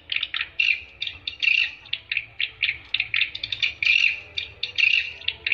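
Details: Swiftlet calls for luring the birds: short buzzy chirps and rattling twitters repeated in quick succession with brief gaps between bursts.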